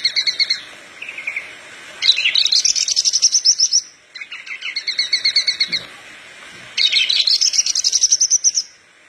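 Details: Horsfield's bush lark singing lively to train other larks: alternating phrases of quick, evenly repeated two-tone notes and high, rapid buzzy trills, repeated over about nine seconds with short gaps.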